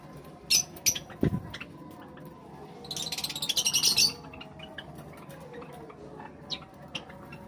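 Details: Java sparrows eating give sharp, high chips, then a quick second-long burst of ticking chatter, with a few scattered notes after over a quiet background.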